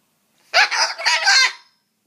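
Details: Cockatoo grumbling while trying to scare away a mosquito: one harsh, raspy, broadband grumble lasting just over a second, with several rough pulses running together. No other sounds are heard.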